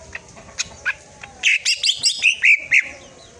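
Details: Cucak ijo, a green leafbird, delivering a 'tembakan' tutor song. After quiet clicks, a dense burst of sharp chattering whistles and chirps tumbles rapidly for about a second and a half.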